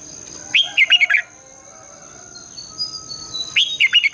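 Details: Red-whiskered bulbul singing in the morning in a long, twisting double-voiced style, used to train and stimulate other bulbuls. Two bursts of rapid, liquid, warbling notes, each about half a second long, separated by a quiet pause with a faint steady hiss.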